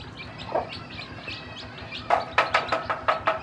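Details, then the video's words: Chicks newly hatched by a hen give soft high peeps. Then the hen, teaching them to eat, breaks in with a quick burst of loud, sharp clucks. "A Hen Hatched Many Chicks From Eggs And Teach Baby Chicks To Eat"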